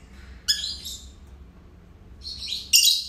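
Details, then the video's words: Pair of pet lovebirds at home, chirping: a sharp, high, harsh chirp cluster, then a quiet pause, then another rasping burst rising to a shrill squeak at the end. "Canto dos Agapórnis"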